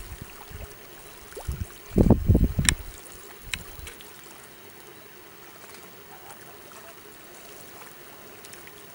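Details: Quiet background with a short burst of low splashing and gurgling water near the two-second mark, then soft hiss, with no animal calls.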